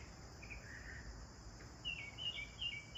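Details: Bathing sparrows: a few soft, drawn-out chirps at first, then a fast, louder cluster of sharp twittering chirps near the end, against a quiet steady background hiss.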